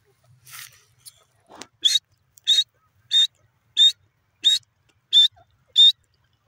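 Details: A francolin (teetar) gives loud, harsh, high-pitched notes, repeated steadily about every two-thirds of a second, after a few faint rustles and clicks at the start.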